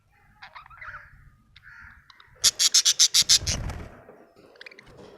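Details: Happy budgerigar chirping, a rapid burst of about seven sharp, bright chirps in quick succession, preceded and followed by softer scratchy twitters and low background rumble.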